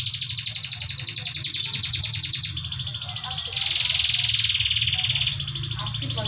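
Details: Canary song used to draw replies from other canaries: long, rapid, buzzy trills held high for seconds at a time, one trill dropping to a lower pitch midway before rising again, over a steady low hum.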